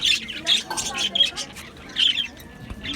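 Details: Budgerigars chirping in an aviary colony, recorded 11 July 2025: bursts of harsh, high squawky chirps at about half-second intervals, with quieter chatter between them.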